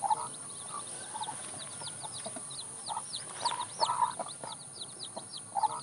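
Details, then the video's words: Village chickens on a countryside morning: scattered throaty clucks, some doubled, rising at intervals over a dense chatter of thin, quick chirps from small birds and a constant high insect drone. "suara ayam berkokok di pedesaan"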